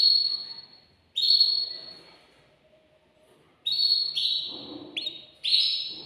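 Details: Male canary, caged and singing to stir a female toward mating, gives loud whistled phrases with sliding notes, broken by quiet pauses of one to two seconds.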